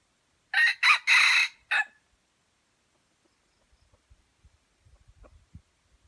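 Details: F1 white-legged red junglefowl from Aceh crowing: a loud, harsh, broken crow of four buzzy bursts packed into about one and a half seconds, followed by quiet low knocking sounds.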